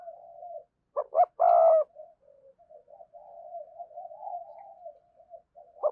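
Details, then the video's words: Spotted dove heard in a lure recording for wild doves, giving one loud phrase of two quick notes and a drawn-out rough coo, followed by a long stretch of quiet, wavering soft cooing. "cu gáy kích bổi hiệu quả/ giọng nhạy bổi nhất hiện nay"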